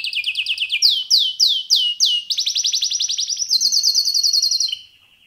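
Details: Pet canary, a male, singing: rapid trills of downward-sweeping notes, then a fast buzzy roll and a higher rattling tour, each phrase repeated several times per second before a short lower ending.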